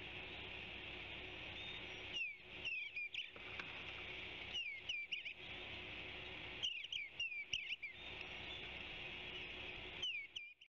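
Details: An Eastern Bluebird singing on a branchlet at Savannah gives short phrases of soft, slurred whistled notes every few seconds, over a steady high hiss like insects buzzing.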